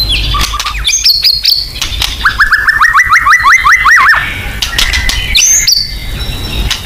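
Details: White-rumped shama 'nembak' lure song: high whistles and clicks, then a fast trill of about fifteen repeated upslurred notes, finishing with a high ringing whistle.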